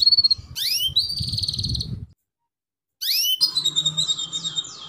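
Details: Female canary cuit-cuit chirps, meant to encourage young male canaries to sing; two bursts of steep rising chirps separated by a second of silence, the second burst ending in a buzzy, sustained trill.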